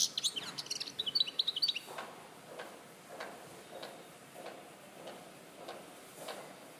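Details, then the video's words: European goldfinch at Larache in 2014 opens with under two seconds of rapid, high twittering song, then falls silent while soft rustling, broadband whooshes recur roughly every half second. "Jilguero Larache 2014"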